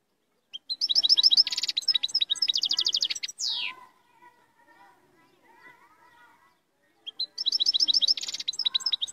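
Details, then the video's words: European goldfinch in strong song: dense, rapid bursts of high twittering and tinkling notes, a sliding downward note, then a quieter gap with low soft twitters before the bright twittering resumes. "تغريد مقنين"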